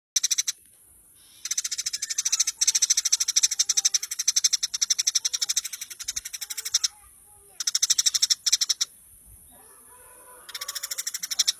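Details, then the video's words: Eurasian tree sparrow recording used for training (masteran) of songbirds: bursts of rapid, evenly spaced sharp chirps, about ten a second, lasting one to five seconds and separated by short pauses, with a steady thin high hiss in the background. "masteran handal burung gereja"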